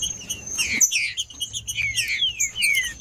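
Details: Short burst from a male green-winged saltator singing to warm up: a few bright falling whistles over scattered high chirps, with a brief gap in the middle.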